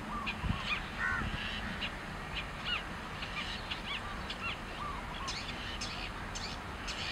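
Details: Long-tailed shrike (Lanius schach) perched on a branch in grassland, singing a varied stream of harsh, grating notes mixed with short whistled phrases over steady background hiss.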